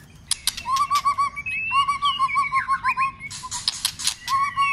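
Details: White-rumped shama in song contest training: rolling low notes repeated in quick clusters, mixed with sharp clicks, swooping whistles and a buzzy passage.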